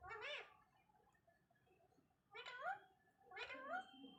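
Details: Parrot talking in three separate bursts, each a brief, nasal, wavering phrase with sliding pitch, spaced by quiet gaps of about one to two seconds.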